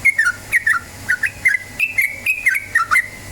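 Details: Lure recording of a yellow-vented bulbul, or trucukan, meant to get birds singing: bubbly, liquid two-note phrases that slur downward, repeated roughly twice a second over a quiet background.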